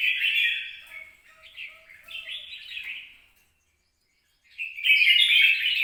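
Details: Red-whiskered bulbul song from 26 April 2022: a loud warbled phrase fading into softer chirps, about a second of silence, then a strong bright burst of notes at the close.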